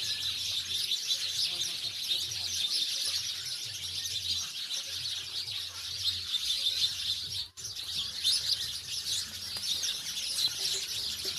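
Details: Village house sparrows chirp together in a busy, high-pitched chatter that runs throughout, broken only by a brief dropout in the middle.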